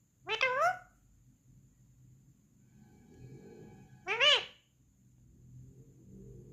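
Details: A parrot talking, saying "mummy": two short, voice-like utterances about four seconds apart, rising then falling, over a quiet background with low hum.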